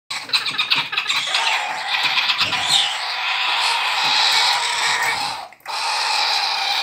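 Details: Hand-fed Galah chicks, hatched in aviaries in Cyprus, give a harsh, rasping, nearly unbroken chorus of begging calls, with one brief pause near the end.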